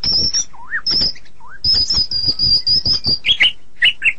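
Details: Medan white-rumped shama in lively song, with thin, high, drawn-out whistles, wavy lower whistled slurs, and a run of high notes ending in short chirps.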